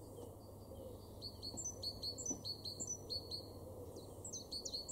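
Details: A great tit in a garden in Weener, East Frisia, northwest Germany, in April 2023 sings high, thin, quickly repeated notes in short bursts over a low steady hum of distant traffic.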